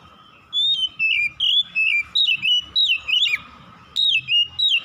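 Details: Oriental magpie-robin singing at dusk: clear whistled phrases that slide and dip between high and mid pitch, about eight short notes in quick, slightly uneven succession, over a faint steady hum.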